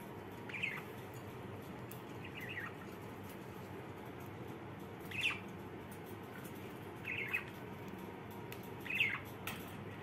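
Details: Two pet budgerigars, said to be feeling happy, give short, bright chirps every couple of seconds over a steady low hum.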